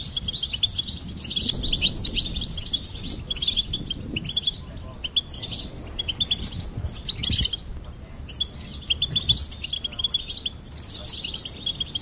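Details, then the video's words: Goldfinch song as a long, dense, jangling twitter of high chirps and liquid trills, running almost continuously with a few short breaks, with soft low background noise underneath. "Goldfinch Singing and Song Compilation"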